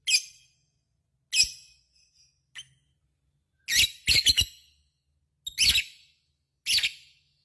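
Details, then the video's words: Lovebird in full-song condition giving scattered harsh, shrill chip calls, some single and some in quick doublets, separated by pauses of a second or more. "SUARA BURUNG LOVEBIRD GACOR,Jago Ngekek Bikin Lovebird Apapun Langsung Ikutan Nyaut Ngekek Koekk"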